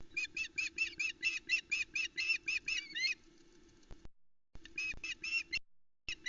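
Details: Female osprey on a Loch Arkaig nest, calling as the male arrives with a trout in the morning; a steady string of high, piercing yelps about two per second, then shorter broken bursts, low hum beneath.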